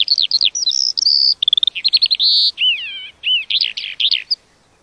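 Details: A lark sings a fast medley of high chirps, steady whistles and a descending warbled slur, ending abruptly in quiet.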